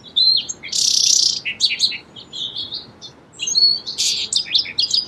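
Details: Song sparrow singing: two clear whistled notes, a loud buzzy trill, then a jumble of quick varied chirps, the phrase repeating after a short pause; no other sounds.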